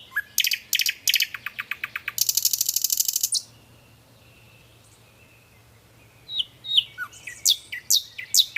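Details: Nightingale song: rapid chipping series and a buzzy rattle, a long pause with a faint sustained note, then a string of sharp, well-spaced high notes; a low hum continues underneath.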